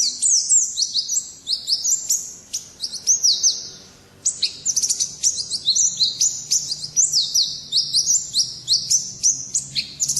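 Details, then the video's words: Energetic white-eye song from a contest-style pet bird, dense cascades of piercing high chirps and downward-slurred whistles, a short silent break midway, then more rapid, tightly packed twittering. "Birds Chirping Pleci Master Joss Chirps"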